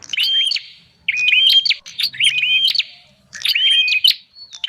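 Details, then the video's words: Bar-winged prinia call used to lure wild birds: four bursts of shrill chirps and upslurred whistles with crackling clicks, each about half a second to a second long, spaced by clear pauses; faint low hum underneath. "Suara pikat burung prenjak"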